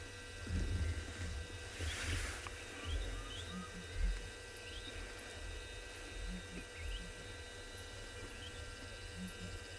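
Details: Southern ground hornbill perched on a termite mound on an afternoon safari, 3 November 2020, South Africa, giving deep, soft booming notes in pairs, a low 'doo-doo', repeated every few seconds, over a steady low hum with thin high chirps of small birds.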